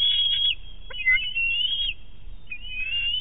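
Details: Young bald eagle on a nest at Big Bear, 5.7.18, squeeing during a fish hand-off from its mother: piercing high whistled squeals in long sustained stretches, briefly interrupted by a short break.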